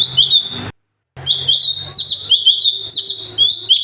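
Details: Sooty-headed bulbul (cucak cungkok) song from a 'masteran' training recording: a sustained high whistle, a short silent cut, then rapid repeated slurred whistles with upward flicks over a low background hum.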